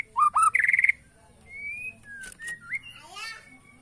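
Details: Borneo white-rumped shama, caged, singing in "sujud" style to provoke rivals: loud bursts of rapid notes, then long level whistles and a rising slurred note, ending in a soft rustling hiss.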